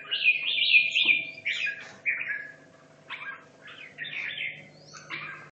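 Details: Red-whiskered bulbul from Hanoi, caged for two and a half years, practising for a singing competition: a run of short bright warbled phrases about two per second, some with sharp upward flicks, over a low steady hum.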